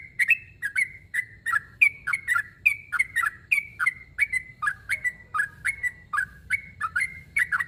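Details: A sooty-headed bulbul calling a rival repeats short, slightly whistled chirps in twos and threes, a clear and regular sequence sustained throughout, with soft low background noise.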